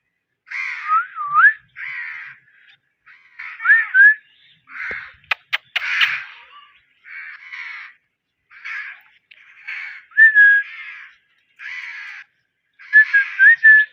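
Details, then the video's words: Parrot chattering steadily in short, rasping syllables, several bending into brief rising or falling whistled slurs, with a burst of sharp clicks in the middle of the sequence. "Ye mithu parrot talking cute mithu🦜❤ parrot natural sound"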